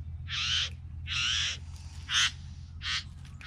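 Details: Three bowerbirds giving loud, scratchy, hiss-like calls, two long rasping bursts followed by shorter sharper ones, over a steady low-pitched hum.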